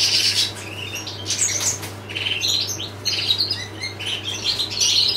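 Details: European goldfinch singing a fast, continuous twittering song of high tinkling and buzzy notes, with brief slurred trills, over a steady low electrical hum.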